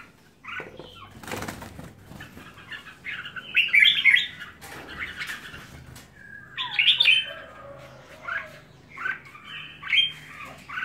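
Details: A pet red-whiskered bulbul kept at home gives short, bright chattering phrases, rising and falling in bursts every second or two, with a brief flutter of wings near the start.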